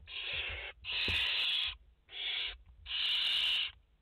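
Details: Loud, close hissing screeches from barn owl chicks, five in the nest on a live camera, 29 August 2021, four long bursts with brief gaps, some overlapping with a sharper rasp.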